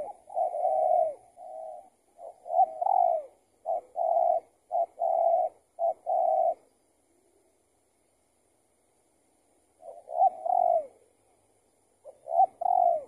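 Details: Spotted dove answering a decoy during trapping; the target was an escaped tethered trapping bird. A run of low hollow coo phrases in the first seven seconds, then silence, then two more coo phrases near the end.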